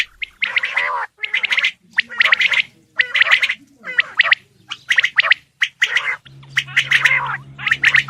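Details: Calls of a male Coturnix quail: rasping, rapid note bursts come at roughly one-second intervals over eight seconds. A low steady hum is heard late in the recording.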